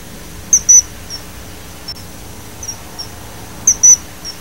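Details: High, piercing whistles from a common kingfisher: a strong double note opens, scattered fainter peeps follow, then another loud double note near the end, over quiet steady hum.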